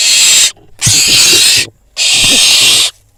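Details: Young barn owl in Israel on a nest cam after receiving prey, eating near a pigeon; two long rasping hisses, each about a second, plus the tail of an earlier one, with soft rustles between.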